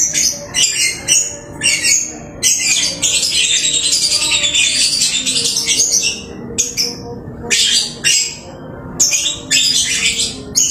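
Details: Pet lovebird singing busily at home: dense, shrill chattering bursts of squeaks and twitters, some over a second long and others short, separated by brief pauses.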